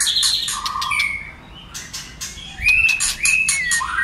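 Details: White-rumped shama singing many voices, used to provoke other shamas into song: clear sustained whistles at several pitches mixed with sharp clicks and a rising whistled note at the close.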